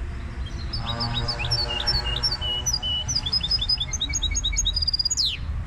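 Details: Goldfinch hybrid pouring out a lively song of crisp whistled notes in rising and falling repeated pairs, finishing with a steep descending sweep. A faint low hum runs throughout.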